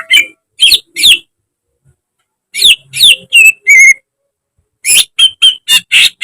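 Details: Greater green leafbird training song for caged birds, with mimicked phrases. Bursts of rough, buzzy notes with sharp whistled overtones come in three groups separated by pauses, the middle group ending in short pure whistles.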